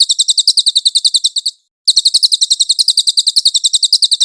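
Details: Velvet-fronted nuthatch recorded as a clear training master for magpie-robin type songbirds: rapid high chirps in an even run, a short pause near the middle, then the fast series resumes.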